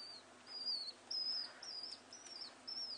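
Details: Two common house martin chicks, picked up after falling from the nest, give thin, high, drawn-out chirps, about six in three seconds, each sliding slightly downward.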